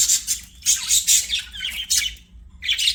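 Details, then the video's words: Budgerigars singing as they play, with bursts of harsh, buzzy chirping and squawky warbles separated by short pauses. The calls are loud and high-pitched. "BUDGIES SINGING PLAYING"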